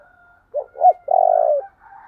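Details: Spotted dove calling to draw in wild doves: a pair of short hooting coos, then a long vibrating low coo, over a faint steady tone in the background.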